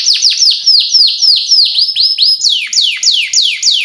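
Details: Canary song played as a lure so young canaries learn sounds. A rhythmic chain of loud, high whistled notes sweeps downward, each about a quarter second apart. Partway through, the notes jump to a higher pitch.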